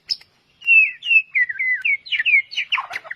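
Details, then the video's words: White-rumped shama song meant to coax singing: after a short high note, a flowing chain of clear, slurred whistles descending and rising, ending in a tumble of quick twittering notes. "Pancingan murai batu 100% efektif langsung auto gacor"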